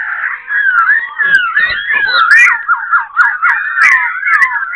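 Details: A black-throated laughingthrush, a caged bird about one and a half months old, pours out a rich, nonstop song of looping, slurred whistles, quickly switching between phrases with clicks and chattering notes mixed in.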